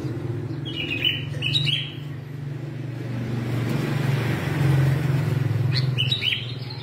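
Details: Red-whiskered bulbul singing competitively all day, giving short, bright, chirpy phrases near the start and end over a steady low traffic rumble.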